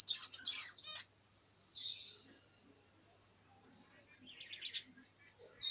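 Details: Budgerigar giving short bursts of high, scratchy chirps and a brief rasping note. Quiet pauses separate the bursts, and a warbled burst comes near the end.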